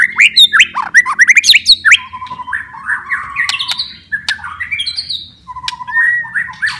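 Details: White-rumped shama song, played to coax a lazy, stressed or silent caged shama into singing again: a rapid, varied chatter of sharp upslurred notes and clicks, then slurred whistles and buzzy trills with short pauses.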